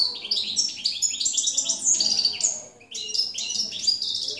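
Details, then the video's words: Jilguero campero, a goldfinch, 2017: a fast, jangling song of high, metallic twitters and trills, broken by one short pause before the bright chatter resumes. "jilguero campero 2017"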